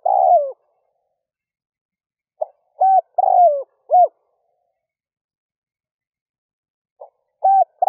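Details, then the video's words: A lure spotted dove calling early in the morning to pull wild doves in. The phrases repeat: a long descending coo, then a clipped hoot, each introduced by faint short notes and separated by clean silences. "Tiếng chim cu gáy rút bổi nhanh về - kích bổi nhanh nổi"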